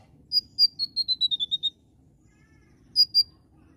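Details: Oriental magpie-robin (konin) in lively 'gacor nembak' song: two sharp high notes lead into a quick falling series of about eight whistled notes, a short silence, then two more piercing notes.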